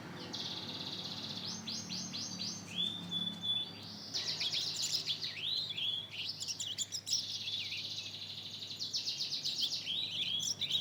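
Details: Young Mozambique canary × canary hybrid, two months old, practising its first song: a long, rambling twitter of quick chirps, slurred upward whistles and short trills, continuous over low background hum.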